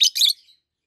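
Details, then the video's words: A brief, piercing double chirp from a pair of adult green peach-faced lovebirds, one red-faced and one yellowish-white-faced, fading into a faint short tail. "Lovebirds Sounds - Peach-faced Lovebird"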